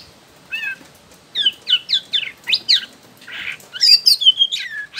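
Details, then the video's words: White-rumped shama, a young wild Borneo bird whose song serves to prompt other shamas to sing, delivering short bursts of sharp, rapidly swept notes and chattering trills separated by brief gaps. "MURAI BATU BORNEO Trotol Muda Hutan Ampuh Buat Pancingan Murai Batu"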